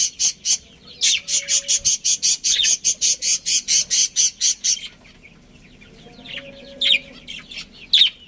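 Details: Pet budgerigar colony with a breeding pair: a quick run of rasping, high pulses lasting about five seconds, then quiet, then a few isolated sharp chirps near the end.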